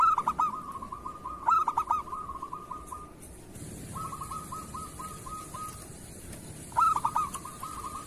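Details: Local zebra dove in kerot style used as a training master song. Loud bursts of sharp hooting notes alternate with softer, bubbling trilled stretches, about forty phrases a minute. Light background noise.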